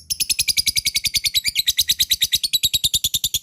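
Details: Lovebird ngekek used as a provoking rival sound: a dense, fast stream of piercing, buzzy chattering notes, roughly eight per second, continuous throughout.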